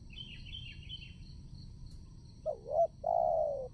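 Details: Spotted dove used to lure wild doves into a trap: high rapid twittering from another bird first, then the dove's phrase of two short notes and a sustained falling coo.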